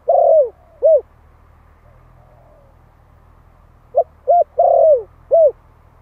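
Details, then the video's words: Calling spotted dove of the Malay type, a one-year-old male used as a decoy: a long coo and a short arched coo, a pause, then a quick series of four coos with one drawn out, low hum throughout. "Tiếng chim cu gáy Malai kích bổi - Thanh niên Malai 1 năm tuổi gáy gọi"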